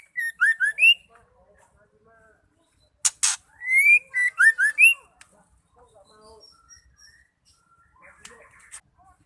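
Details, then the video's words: Female white-rumped shama call meant to stir male shamas into song; short rising whistles at the start, a sharp broadband burst near the middle followed by a run of loud slurred whistled notes, then faint chatter. "Murai betina gacor bikin murai stres nglowo LANGSUNG nyaut bunyi"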